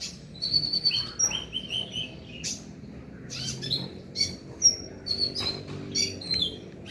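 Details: Van Hasselt's sunbird lure recording meant to make a kept bird sing at night; rapid high chips, short sweeping whistles and bright ringing notes tumble on for seven seconds, with faint low background rumble.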